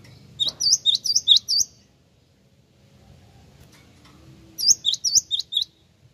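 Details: Java sparrow lure call, used to draw replies: two bursts of high, clipped chirps, each burst six or seven quick upslurred notes, separated by a quiet gap of about three seconds.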